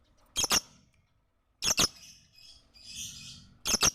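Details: Lovebird song used as training material for other birds, with paired sharp squeaky chirps returning about every one and a half seconds and a softer hissing buzz in between.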